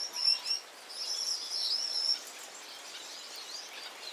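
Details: Gouldian finch song: very high, thin, hissing whistles and faint buzzy notes, with two louder drawn-out phrases over soft background hiss.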